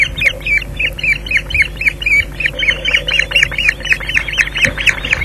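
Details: Evening fish delivery by an osprey at the Loch Garten nest, Scotland, June 2011. Rapid, insistent squealing calls, about four per second, each a short downslurred whistle, steady throughout against a faint background hum.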